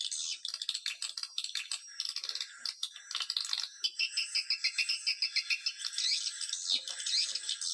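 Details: Swiftlet lure call played to attract swiftlets: dense, rapid clicking and chattering twitters, high and rattling, continuous throughout with uneven bursts.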